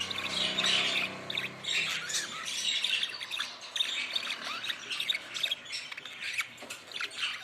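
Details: Budgerigars keep up continuous warbling chatter: dense, high, twittering phrases mixed with short squawks, running without pause throughout.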